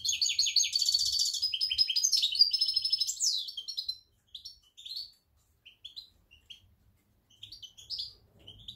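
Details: European goldfinch, recorded in October, sings a rapid twittering song of high tinkling notes and buzzy trills for about four seconds, followed by sparse short chirps, with a man speaking quietly.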